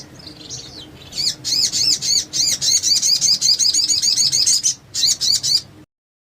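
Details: Crested jay singing in a master recording for training other birds: a long, loud rattle of high, repeated, bouncy downslurred notes, several per second, briefly pausing before a short final burst.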